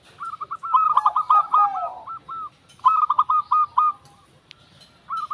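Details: Zebra dove singing two bursts of rapid staccato cooing notes, each burst a quick rattling series of short tones with brief pauses between, over light background noise.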